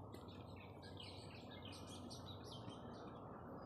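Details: Birds chirp in quick, overlapping high twitters and short notes without pause in quiet surroundings on a weekend, over a steady low rumble of background noise.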